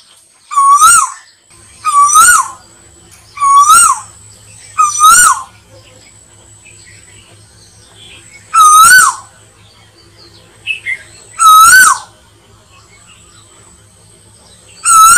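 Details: Asian koel call used to lure birds for slingshot hunting: seven loud whistled notes, each rising then falling, first in a quick series about every 1.5 seconds, then more spaced out, over a low background hum.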